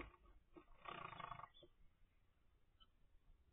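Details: Nine-day-old zebra finch chick from a kept pair's first clutch, giving a harsh, raspy begging burst of about half a second, then only faint scattered chatter over a steady low indoor hum.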